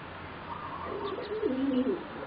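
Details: Singing zebra dove from a competition-bred line, one of four young birds aged roughly 3.5 to 4 months; a single short rolling, burbling coo phrase near the middle over faint background hiss.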